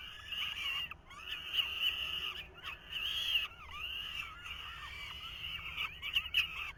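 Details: Falcon nestlings, 2023, being fed by the male: rough, insistent screeching calls overlapping one another, with a few short breaks and sharper peaks.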